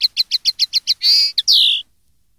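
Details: A common linnet song recorded in 2013 for tutoring young linnets: a quick run of seven twittering notes, then a buzzy drawn-out note and a slurred, falling whistle.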